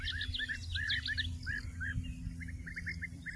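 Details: Several European bee-eaters (Merops apiaster) at the Soča river mouth nature reserve (Izliv Soče) on 14 June 2024 call together in short, liquid, rolling 'prruip' notes, overlapping at a quick, uneven pace, over low wind rumble.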